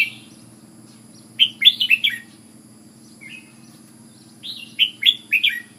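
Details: Red-whiskered bulbul from Ubon, a decoy bird, delivering two lively bursts of four or five chirpy, slurred whistles, with a soft single note between them and a low steady hum beneath.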